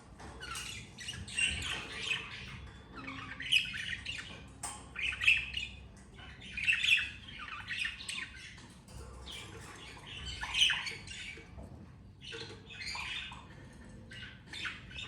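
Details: Two adult budgerigars with their two babies giving raspy squawks and chirps in bursts of one to two seconds, recurring roughly every one and a half to two seconds across the recording, with soft background hum between bursts.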